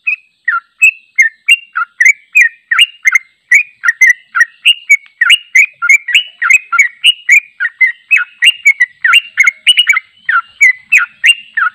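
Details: Sooty-headed bulbul singing a long unedited song used to train other bulbuls: rapid, continuous series of bubbly, warbling whistled notes, about three per second, rising and falling, with no pauses across the whole stretch.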